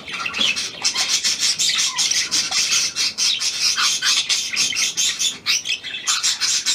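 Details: Hand-tame pied budgerigar recorded 17 February 2023: loud continuous high chatter, pulsing buzzy notes running in quick succession with short dips between phrases.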